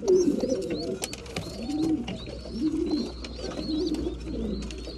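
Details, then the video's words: Breeding pigeons feeding, with soft repeated coos about once a second, thin high wavering squeaks above, and occasional sharp clicks. "Breeding pigeons / mealtime"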